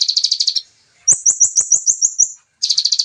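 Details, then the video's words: Dense, clear 'nembak' song from a bar-winged prinia: a buzzy rattle, a pause, then about eight rapid, ringing, down-slurred notes, followed by another harsh buzzy trill. "Konin Nembak Ciblek speed Rapat//Jernih ( Suara Asli )"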